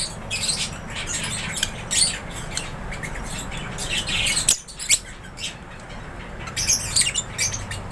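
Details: A flock of lovebirds kept in an aviary chatters continuously with high, shrill chirps and rasping squawks, busiest in the first half, then a short lull before the chirping picks up again.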